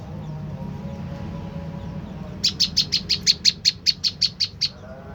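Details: Played to lure a reply, an olive-backed tailorbird gives a steady, rapid train of about thirteen loud, sharp, high notes after two seconds of low hum, then falls silent.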